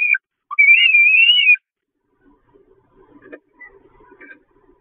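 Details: Peregrine falcon chicks at the Catharinakerk nest, 5 May 2021, hungry and going after their mother. A short high note, then a long wavering whine, followed by faint, scattered low scuffling sounds.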